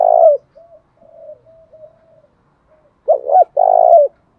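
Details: Pigeon-sized spotted dove calling to incite fighting, thổ bầu voice style: a phrase ends, soft low cooing murmurs follow, then a full phrase of two short hiccuping notes and a drawn-out rolling coo.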